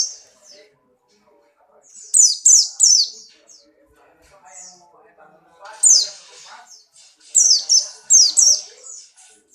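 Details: White-eye of the Buxtoni form in strong breeding condition, hopping about; bursts of three or four sharp, high, downward-slurred whistles separated by quiet gaps, with faint background rustling.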